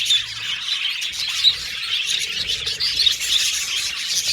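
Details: Pet budgerigars chatter in a group, quick high chirps and soft whistled notes layered into a continuous lively twitter.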